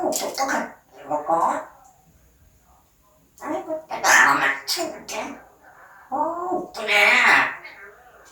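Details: Pet parrot talking in Korean, meant to say 'ABC', 'subscribe', 'like' and 'thank you'. Short, voice-like phrases come in bursts, with a quiet gap near the middle, and end in a louder, higher, strained-sounding phrase.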